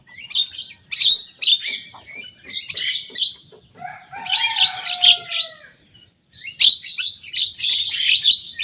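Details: Young Javan myna in strong voice imitating rivals: harsh chattering phrases, a passage of several descending whistled slurs stacked together, a short silence, then loud raspy chatter again.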